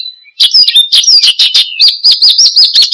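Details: Branjangan (Australasian bushlark) singing vigorously ('gacor') as a lure and tutor sound for cage birds: a faint whistle, then rhythmic high chirps and a string of looping whistled notes repeated several times a second.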